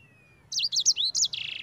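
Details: Rolling ngerol song of a sanger: a faint thin whistle, then rapid high chirps and slurred notes ending in a short buzzy trill, recorded to lure other sanger birds into singing.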